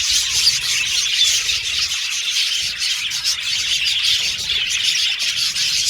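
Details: Aviary budgerigars chirping and singing together; dense high-pitched twitter with a few clear whistled chirps rising above the continuous colony chatter.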